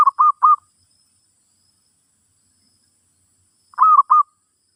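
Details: Song of a zebra dove, used to teach a new bird: two bursts of three brisk, mellow cooing notes each, separated by about three seconds of silence, in a quiet recording.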